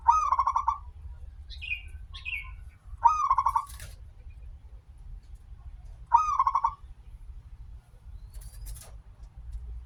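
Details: Persistent local zebra dove song used to prompt other zebra doves to sing; three rolling cooing phrases, each a rising start into quick pulses, roughly three seconds apart, with short higher chirps from other birds between.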